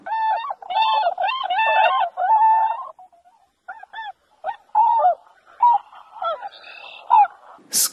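A swan gives nasal, trumpeting honks in a rapid run of four or five, then scattered single honks after a short pause.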